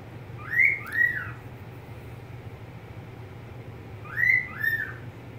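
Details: Two bursts of clear double whistles from a pet budgerigar, each made of two rising-falling slurred notes, separated by about three and a half seconds of quiet hum.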